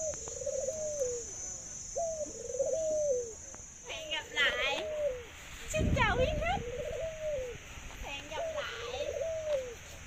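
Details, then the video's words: Caged Thai dove kept as a pet bird, giving long laughing coos: each phrase a sharp rising note followed by a rolling, bubbling trill that falls away, repeated about every two seconds, with a man talking and a few high chirps midway. "Chú chim cu Thái biết cười và có tiếng gáy lâu nhất"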